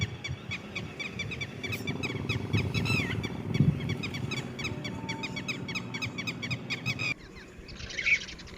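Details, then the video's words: Red-wattled lapwing chicks give quick, thin, high peeps over louder low rumbling and handling noise, then the sound cuts to a quieter passage with one last peep. "Red wattled (Titehari)Baby|Bird sounds|Cute Titodi Baby|"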